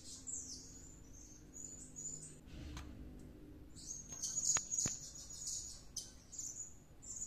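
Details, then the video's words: Pet blue-crowned hanging parrot calling in a frenzy, as if possessed, after returning from luring: a fast run of very high, thin, squeaky notes in short bursts, with a couple of sharp clicks over a low background hum. "Suara serindit gacor kerasukan"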